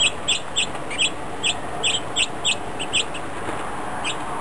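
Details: Several grosbeaks feeding together on New Year's Day 2010 give short, sharp, high chipping notes, about a dozen in quick, uneven succession, over a steady low rumble of background noise.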